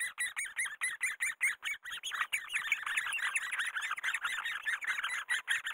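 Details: Great spotted woodpeckers during breeding, while raising their young: a dense, continuous stream of harsh, buzzy chattering notes, several per second, with overlapping voices and no other clear sounds.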